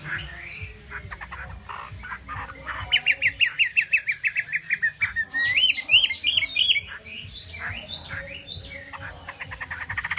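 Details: Chinese hwamei song. A fast train of short, even repeated notes, about three per second, gives way to sweeping wavy whistles and then scattered chirps.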